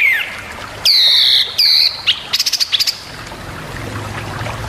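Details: Long-tailed shrike master song for training other birds: two loud, harsh, flat blasts followed by a rapid stuttering series of short high notes, then quiet.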